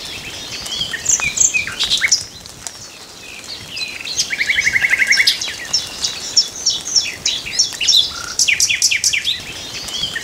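A common nightingale sings a rich, varied song of sharp chirps, whistles and a fast rattling trill, with other birds twittering in the background.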